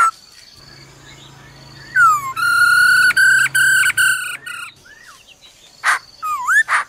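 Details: Female laughingthrush giving "ro ro" calls meant to fire up a male: a falling whistle leads into a long, ringing harmonic phrase pulsing in rapid segments, followed by curved whistles, one harsh burst and looping swoops.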